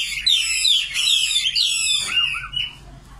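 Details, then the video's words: Nightingale delivering a brief, bright phrase of sweeping high whistles and rapid twitters, ending in softer looping notes. "Singing nightingale. amazing bird song"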